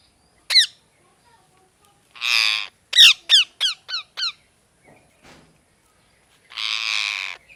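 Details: Parrot mixing a single sharp chirp, a longer rasping squawk, a rapid series of five falling chirps, and finally another drawn-out harsh squawk.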